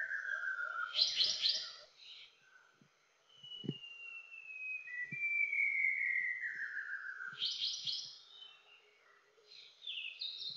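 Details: White-browed shama (Copsychus luzoniensis), a Philippine endemic of Greater Luzon, more often heard than seen, sings varied phrases: a low whistle, bright rattling bursts and a long slurred whistle falling in pitch, over faint soft knocks.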